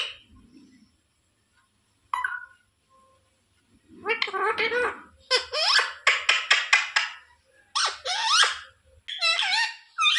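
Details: Pet parakeet indoors speaking in a harsh, buzzy, speech-like voice, repeating short word-like phrases said to be "sita ram", with bursts of rapid, scratchy syllables and brief pauses.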